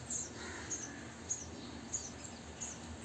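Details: Three-day-old sparrow nestlings in a bird house, fed insects by both parents: soft, very high, thin peeps spaced roughly every half second, quiet against a hissy background.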